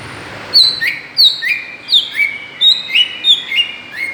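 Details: Greater green leafbird lure sound to provoke other birds: a rapid, lively string of loud whistled notes, each sliding down from high to mid pitch, about eight in four seconds.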